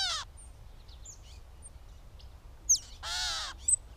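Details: Catbird giving two nasal, mewing calls with stacked harmonics, one at the start and a longer one near three seconds, separated by scattered short chirps and squeaky notes over a quiet background.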